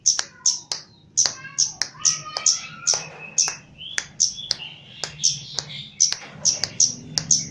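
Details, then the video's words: Javanese chestnut-capped laughingthrush calling hard while trained: a relentless series of sharp high chips, about two per second, threaded with short descending whistles and a rising slurred note midway. "KEMADE JAWA GACOR"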